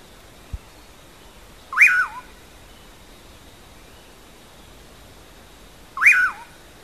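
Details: Bacurau (pauraque) singing "amanhã eu vou": two ringing whistled phrases roughly four seconds apart, each rising steeply, peaking, then sliding down to a falling tail; a faint click before the first.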